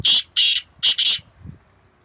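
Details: Two black francolins calling against each other in May 2024: harsh, grating call of long buzzy bursts, two drawn-out notes followed by a quick doubled note, with a faint low thump afterwards and quiet surroundings.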